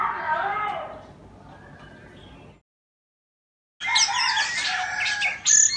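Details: Dancing with its tail fanned, an Indonesian Oriental magpie-robin sings: a lower, mellow warble fades, a short silence follows, then a loud, dense burst of mixed whistles and harsh notes.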